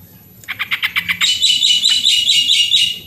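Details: Yellow-vented bulbul, an original lure recording for reluctant singers: a run of quick, evenly spaced notes flows into a high, buzzy, fizzing trill.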